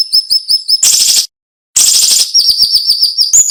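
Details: High, sharp 'nembak' song of a cinnamon-bellied flowerpecker meant for tutoring other songbirds: brisk repeated thin notes, two loud rasping bursts split by silence, then a steady run of piercing whistles ending with a rising note.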